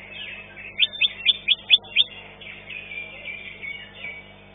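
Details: A greater green leafbird at an Indonesian songbird contest, placing fifth, sings a run of six sharp, bright chirps about every quarter second, then a scratchy, warbling high-pitched chatter.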